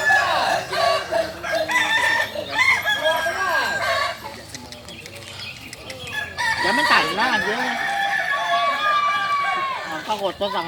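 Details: At a Sawahlunto crowing practice final on 16 July 2023, Kokok balenggek roosters give loud layered crows in bursts with a short quieter stretch, several birds overlapping amid background voices.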